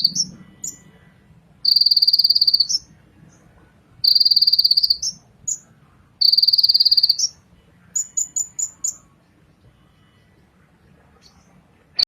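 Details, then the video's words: A Ninja sunbird gives three long, rapid, buzzy high trills about two seconds apart, separated by single sharp whistles, then a quick series of short high notes. "suara Kolibri ninja terbaru"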